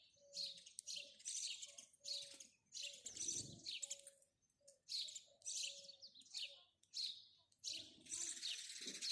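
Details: House sparrows give loud, choppy bursts of high chirps separated by brief pauses, with a soft steady hum in the background and a low rumble midway.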